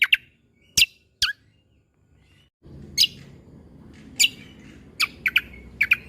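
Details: Greater green leafbird tembakan-style tutor song for young white-rumped shamas: widely spaced, very sharp single chirps and whip-like whistles, some doubled, against a quiet background with light hiss.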